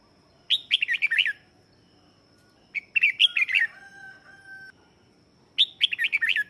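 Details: Lure song of a red-whiskered bulbul used to call wild birds: three lively phrases of quick, rolling, high chirps, with a thin steady whistle-like tone between the second and third.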